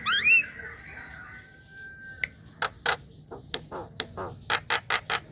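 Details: Javan myna lure sound for young and untrained birds: an opening rising and falling squawk and a drawn-out whistle, followed by a series of short dry clicks and rasping notes.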